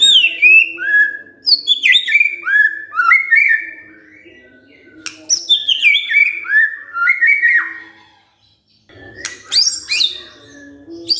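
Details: Provoked white-rumped shama responding with a full song: bursts of clear descending whistles and sharp high flourishes, repeated in phrases separated by brief pauses, with a quiet gap near the end before a final high burst.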